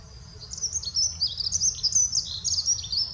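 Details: Quieter, more distant-sounding Eurasian wren song in the Eifel, Germany: high warbling twitters and short trills continuing throughout, over a faint low background rumble.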